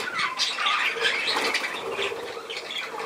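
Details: Short burst of budgerigar chatter: harsh squawks mixed with rising and falling whistled squeaks, busy and uneven, over a faint low hum.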